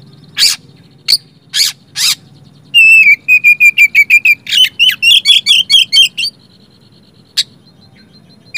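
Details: Oriental magpie-robin song used to prompt silent magpie-robins to sing: a few harsh scratchy notes, then a fast run of short whistled notes with rich varied phrases repeated about twice a second, ending in a lone chip.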